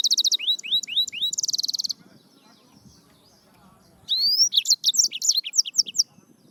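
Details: Yellow-fronted canary singing: a fast series of sweeping upslurred whistles, then a rapid buzzy trill, a pause of about two seconds, then bright rising whistles and quick varied chirps in rapid succession, with faint low background rumble.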